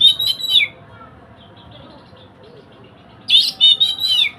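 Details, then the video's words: Song of an oriental magpie-robin for training a silent bird: a loud warbled phrase of mixed whistles and harsh notes, a long quiet gap with soft faint notes, then another loud varied burst. "Kacer on cocok buat masteran burung bisu"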